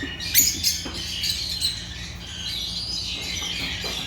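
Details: African lovebirds (Agapornis) chirping: a few sharp, loud squeaks at the start give way to softer continuous high chatter from several birds.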